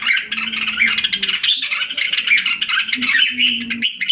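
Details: A red-whiskered bulbul kept caged in Singapore, recovering health in July 2017, sings without a break: dense, fast warbled chatter with scattered sharp whistled peaks, accompanied by a soft low hum.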